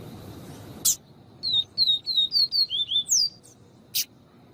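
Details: Lined seedeater gives a quick run of about eight high, slurred falling whistles bracketed by two sharp clicks; the recording is presented as male song and female calling, used to stimulate captive seedeaters.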